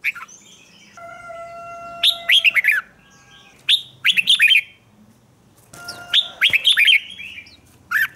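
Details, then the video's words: Red-whiskered bulbul 'ché' song for morning training: steady pure tones sound behind as rich whistled phrases break out in quick, slurred runs, three bursts spaced by short silences. "Luyện chào mào hót sáng, QUÁ HAY - CHÉ KÍCH BỔI CĂNG ĐÉT, Cách luyện chào mào hót căng lửa"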